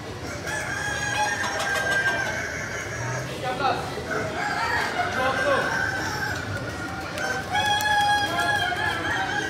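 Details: Crowing contest of Kokok Balenggek roosters in Bukittinggi, many birds calling at once: long, multi-note stepped crows overlap one another, loudest near the end, amid people talking and a busy crowd background.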